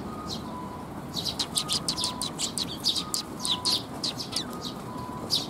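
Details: Group of Eurasian tree sparrows arriving for food at a bridge in Japan, June 2021: a busy run of quick, high chirps and twitters from multiple birds, with faint steady tones beneath.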